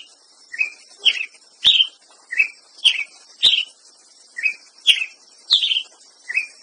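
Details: Ruby-crowned tanager giving about eleven quick, emphatic chirps in steady succession, alternating slightly lower and higher notes, with a few sharp clicks and faint background hiss.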